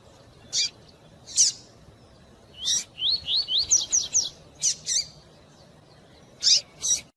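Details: Double-collared seedeater of the tui-tui style, in fast song with female calls to stimulate the male: scattered sharp high chips, then a quick series of rising slurred whistles, followed by more spaced buzzy notes.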